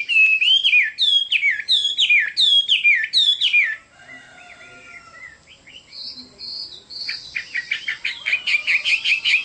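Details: Chinese hwamei song: a loud downslurred whistled phrase repeated about five times, then a brief quieter pause with soft notes, before a rapid series of high, clipped notes builds up again.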